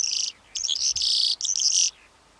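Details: Calandra lark singing in dense, buzzy, jangling phrases of high rapid notes, three bursts broken by brief gaps, no other sounds.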